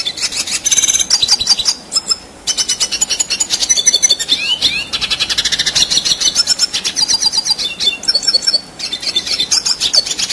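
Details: A red siskin, likely caged, sings a long, unbroken run of high, buzzy twittering, with rapid trills and chattering notes that barely pause. Recording used as song material to train contest birds.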